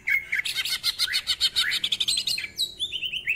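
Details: Rough-voiced 'ngentrok' song of a greater green leafbird, full of 'isian' fills: a fast rattling series of harsh buzzy notes for over two seconds, ending in a string of short high descending whistles.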